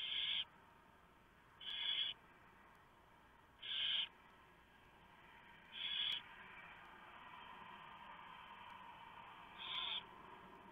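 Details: Barn owl family at the nest during a prey delivery before 4 AM, 3 November 2015, the mouse torn up for the owlets; five short, breathy screeches at irregular intervals, fading slightly toward the end over a steady hiss.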